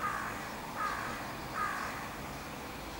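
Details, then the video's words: Fieldfare recorded on 23 July 2015, giving three short harsh calls spaced under a second apart, then quiet background hiss. "Grive litorne Field thrush سمنة الحقول"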